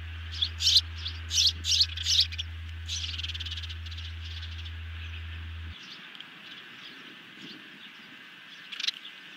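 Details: Osprey nest feeding scene, evening of 18 June 2020, with two birds fed a large meal; a burst of loud shrill chirps at the start, then quieter buzzy calling and near silence until one final sharp chirp.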